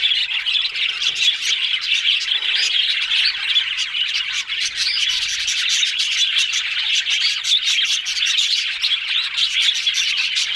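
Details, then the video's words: A long run of budgerigar chatter: bright, overlapping chirps and warbled notes, scratchy and fast, sustained at an even loudness throughout. "Meal Parakeet's Talking Budgies parrot"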